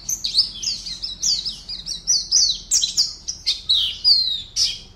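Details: Caged Oriental white-eye, an online singing-competition entry from Pontianak, West Kalimantan, Indonesia, delivers a fast run of high, thin chirps and short downslurred whistles, each note clipped and bright, with steady faint low background hum.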